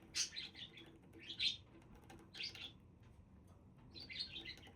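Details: Budgerigars giving four bursts of chattering, warbled chirps about a second apart, each a scratchy cluster of notes, with faint wing flutter.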